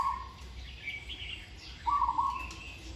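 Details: Zebra dove in training: the tail of one trilled coo at the start, then a full rapid, purring phrase near the end, with scattered higher bird chirps between.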